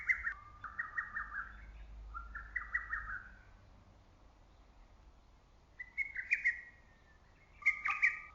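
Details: Among the trees of a forest in early summer, a lesser cuckoo repeats its loud staccato phrase, a tumbling string of whistled notes, twice in quick succession, then again after a few seconds of quiet; faint low rumble underneath.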